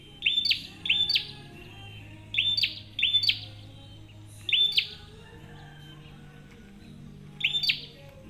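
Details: Prenjak, used as a lure for other birds: sharp high chirps with a quick downward sweep, given singly or in quick pairs about every second or two, over a faint low hum.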